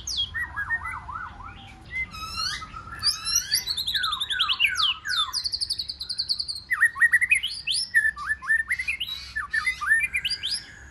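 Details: Wild-caught white-rumped shama singing in competition style, a rich varied song of rapid whistled phrases, sweeping slurs and repeated trills, loud and continuous with dense bursts of notes later on.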